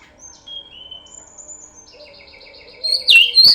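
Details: Oriental magpie-robin song used as a lure: clear high whistled notes, a long falling whistle, then a burst of loud, rapid, sweeping trills near the end.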